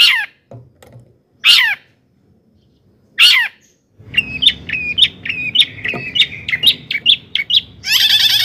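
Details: Long-tailed shrike song used as a provocation: three rasping descending squawks, then a rapid varied chatter of short chirps over low rumbling background noise, ending in a dense scratchy burst.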